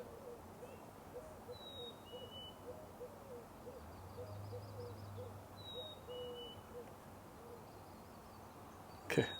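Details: On a May morning in a marsh, a Eurasian collared dove in a tree gives low, soft, repeated cooing, with brief high chips from another bird, a low hum and a sharp knock at the end.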